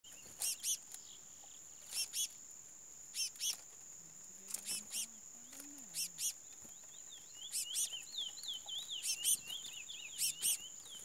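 Chestnut-bellied seed finch giving sharp, ringing notes about every second, then quick warbled phrases, over a steady high electrical whine and a faint low whistle.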